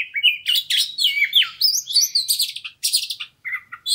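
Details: Persistent fighter-type Oriental magpie-robin singing a quick lure song to stimulate other kacer: continuous rich whistles, slurs and scratchy chatter in rapid phrases with brief gaps, in a clean recording.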